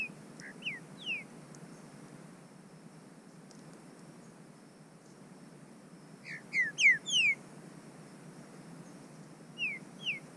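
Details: Green-winged saltator (trinca-ferro) from a registered captive breeder in Brazil, singing in the bush: short whistled phrases of slurred descending and rising notes, one burst at the start, a louder cluster around six to seven seconds, then two more notes, over a steady hiss.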